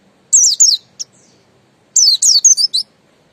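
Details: Buxton's white-eye (pleci buxtoni) song in the ngalas style: two bursts of high, thin, rapid descending whistled notes, each about a second long, separated by a short pause and a single brief chip; clean background.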